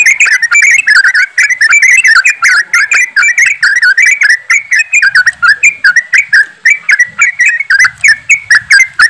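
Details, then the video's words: Group chorus of yellow-vented bulbuls, a lure recording meant to get birds to sing fast. Bubbling, warbled whistles pour out nonstop from several birds, with short notes tumbling over one another. "TRUCUKAN ombyokan,TRUCUKAN ROPELAN untuk bahan cepat bunyi"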